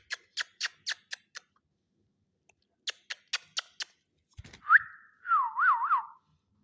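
A ring-necked parakeet gives two quick runs of about six sharp clicks, then a rising whistle and a wavering, warbled whistled phrase like mimicked speech.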